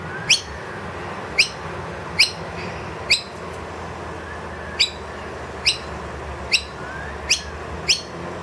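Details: Wild noisy miner with two young inside a room, loudly asking for food when the feeder is empty; nine separate sharp, high upswept chirps at uneven intervals over steady background noise.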